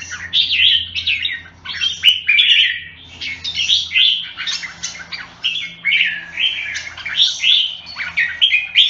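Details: Red-whiskered bulbul, also called jambul, singing repeated lively whistled phrases, each burst followed by a short pause, against a soft low hum.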